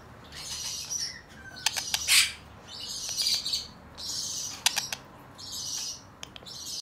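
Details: Cream ino lineolated parakeet, recorded 21 November 2022, uttering bursts of bright, scratchy high chirps and squeaks in clusters separated by short pauses, mixed with sharp clicking sounds.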